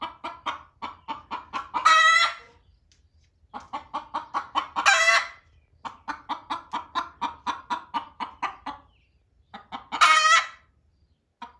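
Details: Two hens lay eggs in a barn instead of walking to their nesting box, and one hen calls loudly at the other. Bursts of rapid clucking break into three loud, ragged squawks, with short silences between bouts.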